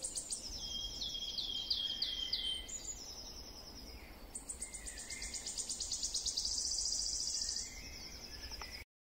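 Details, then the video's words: Wood warbler singing among other woodland birds. Ticking notes accelerate into a high, shivering trill that swells for about three seconds and ends suddenly, followed by softer chirps. "Świstunka leśna . Śpiew."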